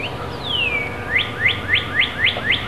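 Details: Robin calls as fledglings fly from their nest: a long, clear whistle sliding downward, then seven sharp, rising chirps repeated evenly about four times a second, with low background rumble.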